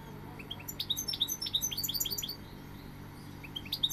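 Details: Fast, jingling goldfinch twitter, a busy cluster of high chirped notes for about two seconds, fading, then a few more notes near the end; soft low hum behind.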